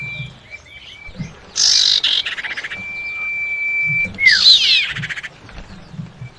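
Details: Female common iora calling the male as a lure sound: a harsh buzzy burst leads into a long steady whistle held over a second, then a falling swoop and another rasping chatter.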